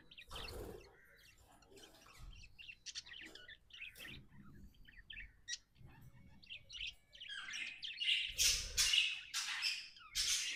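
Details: Happy pet budgie chattering with quick tweets and scratchy notes, growing louder toward the end with harsh buzzy bursts.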